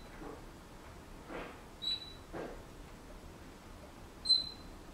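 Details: Captive Senegal parrot in a home making noise and whistling: two sharp, high, pure whistled notes a couple of seconds apart, with soft rustling and muffled household sounds between them.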